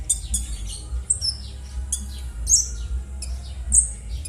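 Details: Konin bird rough calls for luring silent konin into singing: high, harsh, squawking notes, some drawn out, others short and falling, repeated irregularly over a low hum.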